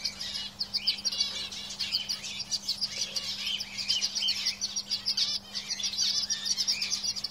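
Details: Several caged canaries singing together, a dense overlapping chorus of high rapid trills and chirps with a faint steady hum underneath.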